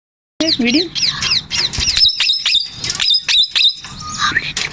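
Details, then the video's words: Male Indian ringneck parakeet said to be talking; rapid series of sharp, high, down-slurred chirps repeated several times a second, with a few lower voice-like notes at the start and a short held whistle near the end. "MALE INDIAN RINGNECK TALKING"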